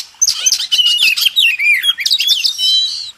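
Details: Kacer, or Oriental magpie-robin, in a master recording for contest birds: continuous dense warbling of high whistles, trills and down-slurred notes running almost without break for three seconds.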